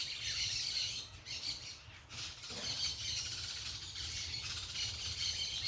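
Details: Parakeets chattering noisily among natural sounds, with dense overlapping high squawks and chirps running almost without pause, dipping briefly around the middle, over a low steady background hum.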